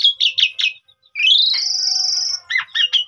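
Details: Black-collared starling song played to draw other birds into singing: a few quick chirps, then one long, loud, slightly rising whistle held about a second with buzzy overtones, followed by short looping whistled notes.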